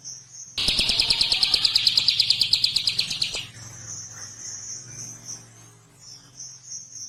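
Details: Prinia calling its companions: a loud three-second burst of rapid, sharp, buzzy chirps repeated about three times per second, followed by a thin, high, steady whine in the background.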